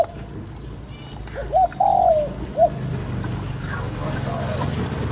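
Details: ['Spotted dove cooing to stimulate a lure bird: one three-part phrase of a short hooked coo, a long slurred coo falling at the end, then a short final coo, over steady low rumbling background.']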